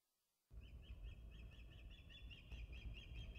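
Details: Osprey at the nest on the Dyfi, 14 July 2013: after a half-second of silence, a steady series of short, high whistled chirps repeats about three times a second over heavy low rumbling wind noise.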